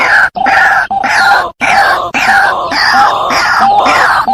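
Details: White-breasted waterhen lure recording used for trapping: loud, harsh, grunting and groaning calls in continuous bursts broken by short pauses, with rough, noisy tone throughout.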